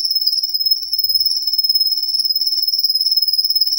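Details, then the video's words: A sustained, high, ringing roll from a singing Russian canary: fast, evenly pulsed notes repeated at a constant pitch throughout, with no other sounds besides faint low hum. "Russian Canary Singing"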